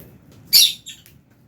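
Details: Fischer's lovebird eating food in an aviary shared with albino lovebirds. One brief, shrill, harsh chirp followed by a fainter short squeak, over a low background rumble.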